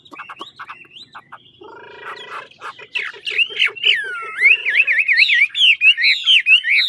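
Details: Chinese hwamei from the old forests of Lạng Sơn, Vietnam, training its voice: soft low pulsed notes and a rattle, building into loud rapid warbled whistles that zigzag up and down.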